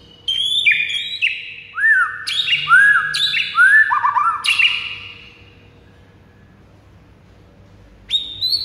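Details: Song of a white-rumped shama, used to goad rival birds that have stopped singing into an angry reply: a burst of rich descending whistles and arched notes for five seconds, then near silence before a brief high phrase.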